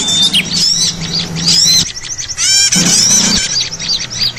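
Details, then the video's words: Many small birds chattering on a trapping lure: bright rising whistles, quick descending chirps and squeaky notes pile up densely, with a low hum in places. "suara ribut pikat burcil"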